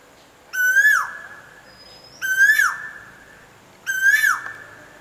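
An Asian koel gives three loud, clear whistled notes about 1.7 seconds apart, each sliding upward and then dropping sharply, over a quiet background.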